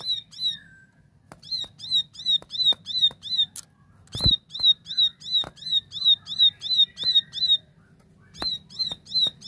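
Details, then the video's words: Clear, active 'tembakan' song of a plain prinia: long runs of bright, buzzy chip notes repeated steadily about three per second, briefly pausing between runs, with occasional loud clicks and faint low hum beneath. "Tembakan Gacor Jernih Ciblek sawah"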